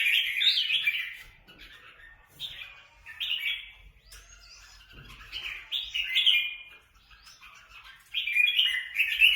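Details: Free-ranging kept red-whiskered bulbuls fighting in Quảng Nam: bursts of high, scratchy chattering notes come in clumps every few seconds, with short quiet gaps between them.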